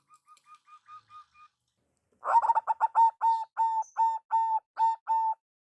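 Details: Local zebra dove, used as a lure call: a short row of soft quiet coos, then after a pause a louder series of about ten evenly spaced ringing coos, each a steady low note.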